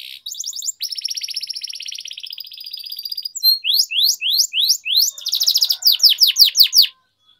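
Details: Canary singing for training, a long rolling song: a sustained buzzy trill lasting several seconds, then a run of loud descending whistled sweeps repeated almost three times a second, ending abruptly.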